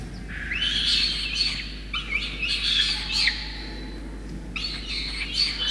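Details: Nestling peregrine falcon, Orange, NSW, Australia, 5 November 2021, calling while parents soaked by rain feed it a starling. Long, harsh, wheezing screams rise and hold, repeated three times with short breaks.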